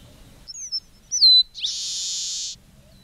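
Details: Red-breasted meadowlark song: a few thin, high whistled notes and a sharp slurred descending note, then a long, even, harsh buzz lasting about a second before quiet.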